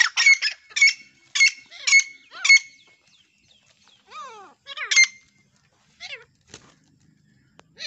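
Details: Francolins fighting: loud, harsh, rasping squawks in quick pairs, then sliding, falling squeals and a few scattered softer notes.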